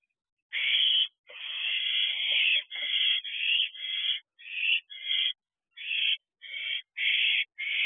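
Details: Barn owl owlet in a nest box late at night, 10:53 pm on 14 June 2023, calling as it returns from flying about; harsh, hissing screeches, one long burst then about nine shorter rasping bursts in quick succession, no other sounds.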